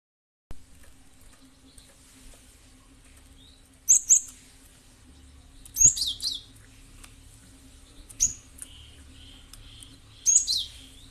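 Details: Cinereous tit call used as a lure to prompt other birds to respond: bursts of sharp, very high notes with a falling buzzy tail, repeated about every two seconds over a faint steady hum.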